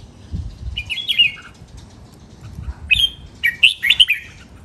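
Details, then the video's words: Red-whiskered bulbul training song in the len rik, nap dok, mae bot and lak wai styles: two bright warbled phrases, then a third burst of rich, jumbled whistles after a short pause. "นกกรงหัวจุก เจ้าขุนอินทร์ เสียงร้องเล่นริก นับดอก แม่บท ลากหวาย คมชัด สำนวนเพราะ เสียงฝึกร้อง"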